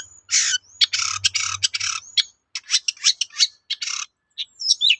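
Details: Long-tailed shrike singing vigorously as a lure so other shrikes respond; loud harsh rasping bursts alternating with sharp chirps and thin whistled slides, with a low hum in the first seconds.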